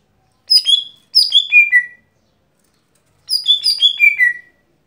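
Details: Lesser green leafbird (cucak hijau gotri) daily song: a short chirp then a descending phrase of bright whistles, a pause, then a longer phrase of four or five notes stepping down in pitch; otherwise quiet.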